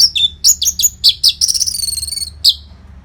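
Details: Orange-headed thrush giving a continuous training song for competition birds, with quick high chirped notes in close succession followed by a fast buzzy rattle and one last sharp whistle.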